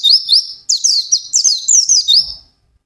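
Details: A white-eye in full, intense 'ngalas' song delivers a quick run of high, sharp, slurred chirps in an energetic phrase lasting about two and a half seconds, then stops.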